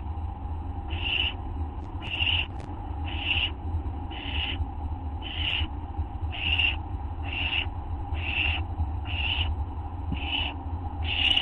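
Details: Owls recorded late at night on August 24, 2011, 11:04 PM: about a dozen evenly paced harsh hissing notes, each brief and breathy, close to one per second, over a persistent low hum.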